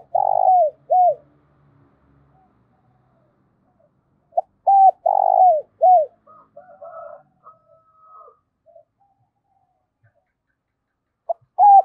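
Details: Decoy spotted dove of the 'giọng thổ' voice style, cooing to lure wild doves: two low cooing phrases, each opening with short notes, then a purring rolled note and a falling coo, separated by near silence with faint soft chirps.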